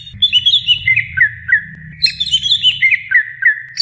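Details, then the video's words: Greater green leafbird giving a steady stream of quick whistled notes that step downward, then restart higher and descend again, with low background hum. "masteran suara burung cucak ijo calon juara"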